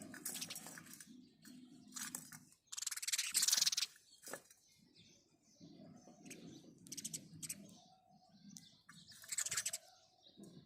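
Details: House sparrow chirping in the morning, with loud scratchy pulsed bursts in irregular runs, over a steady low cooing in the background.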